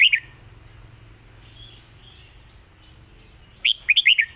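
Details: Red-whiskered bulbul giving its Lak Wai master song: a brief clipped note at the start, a long quiet gap with faint soft notes, then a rapid phrase of five or six whistled notes.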